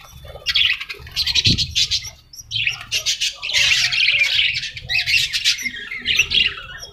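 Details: Parrot squawks in harsh, grating bursts separated by short gaps, with a single low thump near the start.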